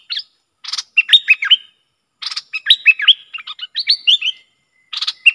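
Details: Bulbul, roused against rival wild birds, delivers lively song bursts. Short buzzy rasps are followed by quick strings of looping whistled notes, grouped in three bouts separated by brief silences.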